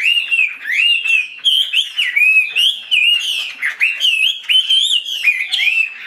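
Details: Caged, fully tamed Chinese hwamei in Vietnam, a tail-fanning bird, delivering loud, clear whistled phrases that swoop up and down. Short bursts are separated by brief pauses, giving a rich, melodic, rhythmic song.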